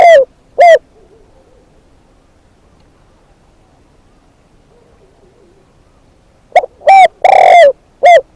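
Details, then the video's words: Decoy spotted dove calling. Two hollow cooing notes open the recording, followed by a long quiet pause, then a run of four more coos with the third drawn out and falling at the end. No other sounds. "เสียงนกเขาใหญ่ นกต่อ"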